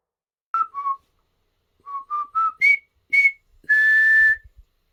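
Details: A pet common hill myna that mimics and talks whistles part of the River Kwai March. A high-low pair is followed by a steady climb of clean notes and a long final held whistle, with faint low ticks at the end.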